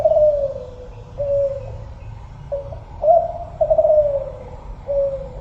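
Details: Tekukur kelantan, a spotted dove, coos in soft, low, hollow notes. Several slightly falling coos are grouped into phrases about every one to two seconds, with faint low rumbling behind.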